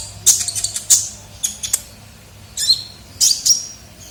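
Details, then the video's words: Kolibri ninja, a sunbird, calling on a lure recording: scattered bursts of piercing high chirps with brief gaps between, ending in a short thin whistle. "pikat suara burung kolibri ninja gacor"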